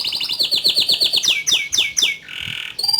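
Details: Canary in full, lively song: fast trills of high rising-and-falling notes, then several sweeping downward slurs, a short buzzy tone and a quick high repeated burst.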